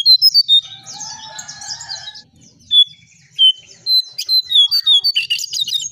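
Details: Striped tit-babbler lure recording: a quick series of piercing whistled notes, then a tangled buzzy chatter with lower warbling lines, followed by more loud single whistles spaced roughly half a second apart.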